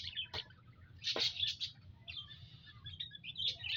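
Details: Several munias in an aviary on 19 April 2025 call with sharp high chirps and a few sweeping notes, followed by softer continuous twittering, with a low hum behind.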